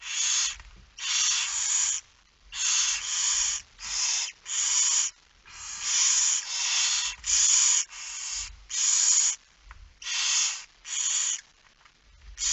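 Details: Long run of harsh hissing screeches from barn owls at the nest during feeding, 10 September 2019 at 22:45; about a dozen bursts, some doubled, coming roughly every second with brief gaps and occasional low thuds.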